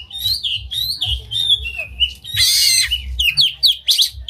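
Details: Singing oriental magpie-robin opens its tail in a lure song with unusual phrases that excites rival magpie-robins into song. Rapid varied whistles and chirps, a harsh scratchy burst midway, then quick bright slurred notes.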